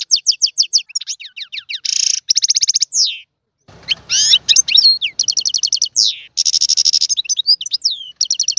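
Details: Goldfinch with a long, busy song mixing rapid twitters, buzzy trills and descending slurs, with a brief pause and a soft rustling sound midway.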